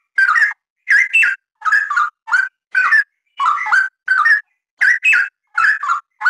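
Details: Continuous, lively song of the Straw-headed bulbul: loud, throaty, bubbling whistles in tightly spaced phrases, many doubled notes sliding up and down, barely a pause across the stretch, no other voices or noise.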